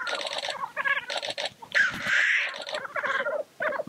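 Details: Black grouse lekking. Rapid nasal cackling bursts frame one long, loud hissing sneeze in the middle.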